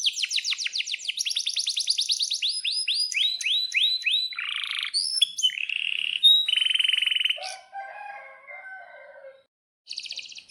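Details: Canary song used as a lure to make other canaries sing: fast trills of repeated high notes, sweeping rolls, buzzy chatter, and a low rattling trill near the end, then a short pause and a brief high burst.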